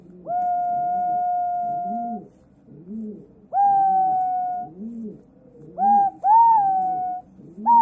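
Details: Captive, rescued White-bellied green pigeon, thought male from reddish wing, gives long, mellow, hooting whistles, some level, others rising then sliding down, several in sequence, over a soft low rhythmic hum.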